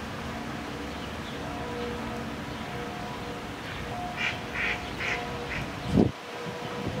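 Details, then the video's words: A crested-breed domestic duck in Prule, Ljubljana, on 1 August 2023 gives a quick run of four or five nasal quacks over a steady low background hum, ending with a dull thump. "Anas platyrhynchos f. domestica ČOPASTA RACA"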